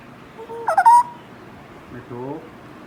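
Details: A six-month-old, self-feeding, tame grey parrot chick that has started whistling gives a soft whistled note, then a brief nasal, harmonic squawk; a lower, voice-like murmur follows a second later in a quiet room.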